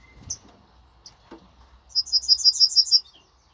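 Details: Yellowhammer song recorded on 26 May: after scattered faint sounds, a rapid series of about eight high, bright, identical chipping notes repeated evenly over one second, in a quiet setting.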